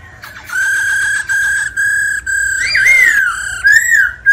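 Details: Male White-cheeked laughingthrush roused by a female's 'ro ro' rolling call, singing while dancing: a quick stuttered lead-in, then long level whistles broken by brief gaps, and a rising, wavering flourish near the end.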